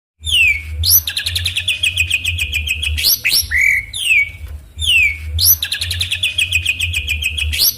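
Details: Captive songbird giving a loud 'tembakan' shooting-style fill song meant to provoke rival birds: sharp high downslurred whistles, buzzy trills and rapid ticking phrases, repeated with a pause midway, over a steady low hum.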